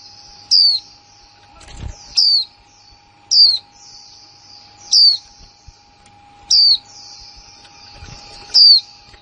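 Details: Female white-eye, a newly acquired bird from 2020, giving the kick mộc là líu calls. Six thin, high, down-slurred whistled notes come about every one and a half seconds over a steady high hiss and a faint constant hum.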